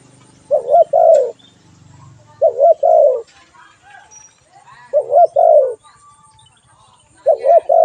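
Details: Low, rounded coos from a spotted dove, repeated as four similar phrases roughly every two and a half seconds. Each phrase is a wavering double note and then a longer falling note.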